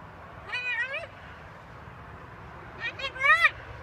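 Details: Macaw parrot talking in drawn-out, wavering nasal phrases: one longer utterance, a pause, then a quicker cluster of syllables ending in a louder rising-falling note.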